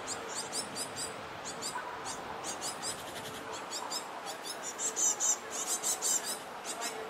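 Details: Young great tits begging as they chase parents for food near a bridge: insistent, shrill, high-pitched calls in quick repeated bursts throughout, growing louder and more piercing toward the end, over a constant broadband rush.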